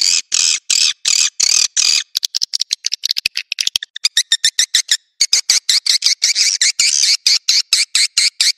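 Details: Swiftlet lure sound in the Naga Merah style, used to draw swiftlets to nests: rapid dry clicking bursts in series, then dense high buzzy twittering with trains of short pulses, all treble with no low sound.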